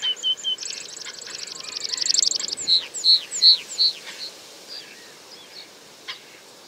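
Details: Meadow pipit giving its display song during a parachuting display flight over open moorland at Fenns Moss NNR, windy conditions: thin high notes speeding into a rapid trill, then slower, louder ringing notes spaced about every third of a second, fading out, steady wind noise throughout.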